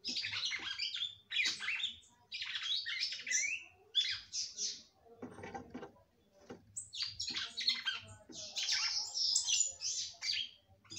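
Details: Female red-cowled cardinal kept by bird breeders, singing at length to excite a male: dense bursts of bright, chattering, warbled phrases with quick rising and falling sweeps, broken by short pauses.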